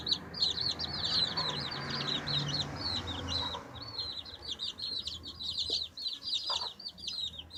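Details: Chicks chatter in thick, overlapping high peeps while pecking and scratching, with a soft background rumble and occasional knocks.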